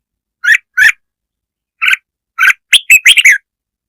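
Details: Red-whiskered bulbul provoking rivals with its song: a few separate mellow chirps, then a rapid, rising burst of bright warbled notes near the end. The background is silent.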